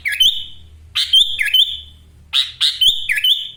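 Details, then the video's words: Caged sooty-headed bulbul from Wonosalam, East Java, in full song stuffed with ngekek-style fill-ins: loud, sharp whistled notes with sliding phrases, delivered in two bursts separated by a short pause. "Kutilang gacor full isian Ngekek LB ngotot suara tembus"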